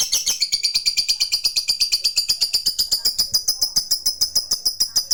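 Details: Fighter-type lovebird in a long ngekek meant to call a rival and draw it into answering: rapid, evenly pulsed high shrill chattering that slides gently downward and then runs on without pause.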